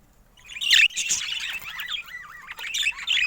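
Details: Budgerigar twitter: a loud squeaky burst, then a run of quick chirps and short wavy whistles, ending in another sharp squeaky flurry.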